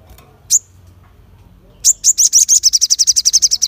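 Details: Crested jay calling sharply to provoke other birds: a single high chip, a pause, then an accelerating run of about twenty loud, clipped, high-pitched rattling notes.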